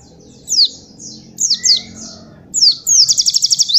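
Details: White-eye master song for training young birds, with separated bursts of high, thin, downslurred whistles, then a fast rattling trill of rapid high notes near the end, over a faint low background hum.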